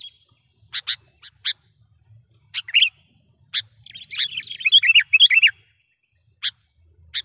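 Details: Sooty-headed bulbul lure call used for trapping wild birds: sharp chirps at irregular intervals, then a dense burst of liquid, warbling notes around the fifth second, and further isolated chirps, with a steady faint high hiss behind.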